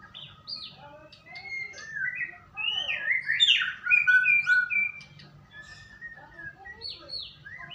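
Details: White-rumped shama song for luring a bird into singing: a varied run of whistled, slurred phrases building to a loud rich middle section, then softer twittering notes with a faint low hum.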